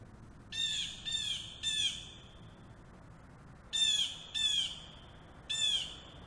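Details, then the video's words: A nearby blue jay mimics a hawk with six harsh, hawk-like screams, each slightly falling, in two sets of three with a quiet pause between; faint background hiss. "Oh, it's a blue jay mimicking the hawk. Liar!"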